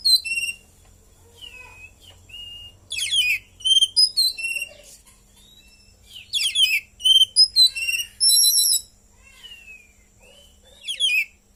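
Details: Caged Oriental magpie-robin in full song, its song filled with cililin imitations: bursts of sharp buzzy trills and rapid descending twitters alternating with single clear whistled notes and short pauses.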